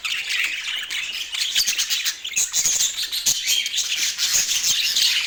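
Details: Budgerigars kept as pets in Portland, a continuous high twittering chatter of overlapping chirps, clicks and short whistled notes with no pause.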